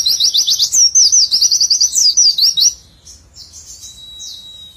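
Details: White-eye (pleci) singing in the nembak style, a tight run of rapid high chirps strung together for nearly three seconds, rising and falling in quick zigzags, then fading to a softer distant twitter.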